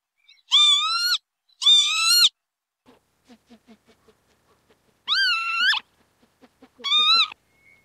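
A Northern lapwing gives four wheezy, nasal, slurred calls in two pairs, each about half a second long, with faint soft ticking between them.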